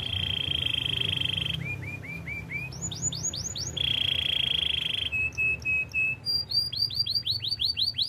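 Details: Belgian canary training song, varied phrases: a steady rolling trill, a run of upslurred whistles, the trill again, short flat piping notes, then quick bright chirps in a rapid series.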